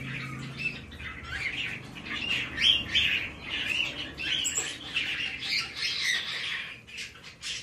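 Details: Male White-bellied caique chick, hand-tame, Fukuoka, Japan, 17 May 2024: a near-continuous run of scratchy, grating squawks, about three per second, rising and falling in loudness, over a low room hum.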